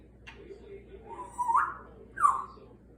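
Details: A 32-year-old rescued Congo African grey parrot with a scissor beak and clubbed feet, kept indoors, gives two rising whistled notes about 0.8 seconds apart over a low hum, with a loud television in the background.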